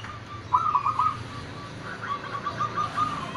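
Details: Local zebra dove (perkutut) being trained to perform in busy surroundings: soft, rolling coos in two short bursts of quick repeated notes, set against steady low traffic noise.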